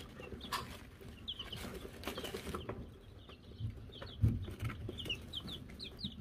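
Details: Silver Laced, Gold Laced and Gold Laced Blue Wyandotte chicks, May 2022, given a bell: sporadic high, short peeps in small bursts, amid rustling and a couple of low thumps.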